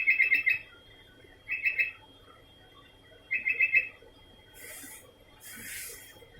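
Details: Sooty-headed bulbul repeating short bubbly whistled phrases, three in quick succession about a second apart. Two soft rushing noise bursts follow at the end.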